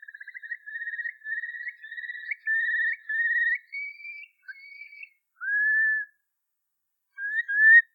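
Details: Haunting song of a Eurasian curlew in Ireland: a rippling trill of quick repeated notes runs into longer slurred whistles, then a drawn-out downward-curving whistle and a final rising phrase. Nothing else audible.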